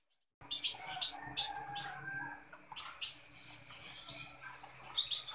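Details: Kolibri ninja sunbird in full voice: sparse sharp ticks and chirps at first, building into a dense, very high, shimmering twittering run toward the end.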